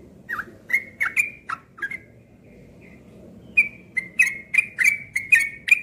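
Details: A captive Cream-vented bulbul, hung outdoors on a morning of 31 July 2021, gives quick bursts of bright, bubbly whistled notes in rapid runs, pausing briefly midway before resuming, over a faint background murmur.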